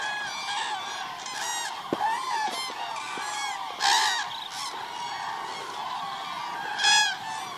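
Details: Cranes calling at the Agamon Hula, Hula Lake, 30 December 2014: a hubbub of trumpeting flock calls with two loud, harsh, ringing calls from nearby birds breaking out about three seconds apart.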